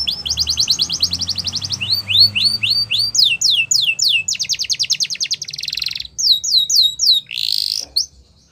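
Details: A Yorkshire canary (Serinus canaria) sings a training song for young canaries: high, rapid rolling trills that switch to a new run of repeated notes or downward sweeps every second or so, over a faint low hum.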